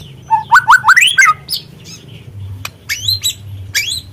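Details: White-rumped shama, spotted variety (murai trotol), playing lure song to stimulate a bird to sing: rapid series of rising whistled notes with harmonics, then sharp high clicks and upward-sweeping whistles, steady low hum beneath.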